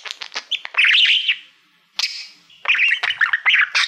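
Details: Budgie, a male house pet who loves mirrors, singing to a Silver Play Button: clicks and chirps, a loud run of trilled warbling, a short quiet gap, then more fast squeaky chatter.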